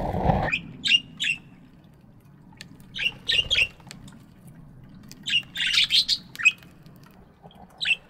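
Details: Several pet budgerigars chirping in an aviary in the morning: short, scratchy chirps in loose clusters, some overlapping, with quiet gaps between bursts and a low background hum.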